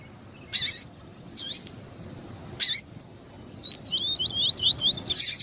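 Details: Male and female double-collared seedeater calling to warm up another male. Three loud, harsh broadband bursts are followed by a fast, high twittering series of looping notes that builds at the end.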